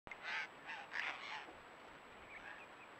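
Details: Spiny-cheeked Honeyeater (Acanthagenys rufogularis) in the Mallee gives four or five harsh, raspy, gurgling notes in quick succession, then softer fading notes over a faint steady high hiss.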